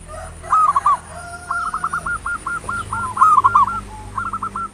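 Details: Zebra dove song in ngayer nulop style, played as a lure to provoke singing: a long stuttering string of fast, evenly spaced coos with a short trill at the end, against a noisy hiss and low rumble.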